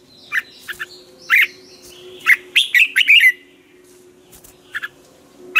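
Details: Red-whiskered bulbul singing the 'ché' training song in the morning, used to spur other birds to sing. Scattered clear whistled notes, then a dense run of sliding chirps, over a steady low hum.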